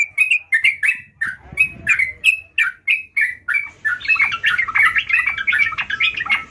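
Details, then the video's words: Sooty-headed bulbul in full song: a run of short, bright, chirping notes repeated about three times a second, then a denser, faster burst of warbled chirps toward the end. "Burung Trucukan Gacor"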